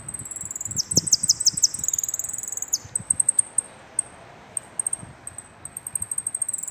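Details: Finch singing at midday on 24 April: very high, thin, rapid trilled notes, then short high chips and buzzes spaced out, with repeated dry clicks and faint background noise.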